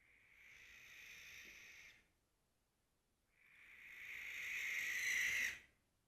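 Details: A male barn owl defending its territory calls loudly with two long, harsh, hissing screeches, the second louder and building to a rasping end, with a pause between.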